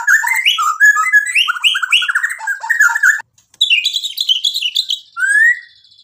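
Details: White-rumped shama in full 'gacor' song loaded with 'isian' fill phrases: a fast stream of varied whistles, chips and slurred notes. A brief pause is followed by buzzy high trills and a rising whistle.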